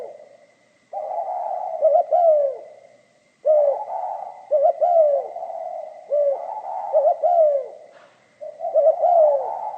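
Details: Pha kim song of a spotted dove: several cooing phrases with stuttered opening notes and drawn-out falling endings, separated by short pauses, with a faint steady tone behind.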